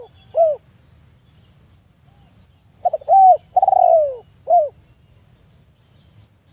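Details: A single spotted dove phrase: stuttered soft coos building to a drawn-out, downward-sliding croo and a short closing coo, with an isolated coo at the start; quiet pauses filled by a steady high whine and low murmur.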